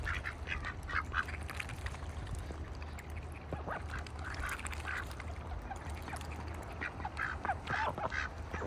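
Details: Ducks in a bucket on a farm in winter, making scattered short nasal quacks and soft chatter, fairly quiet, over a constant low-pitched hum.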